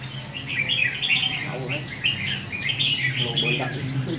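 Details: Red-whiskered bulbul from A Lưới singing on a competition stand: bright, warbled, fast-tumbling phrases in two bursts, with low voices murmuring underneath throughout.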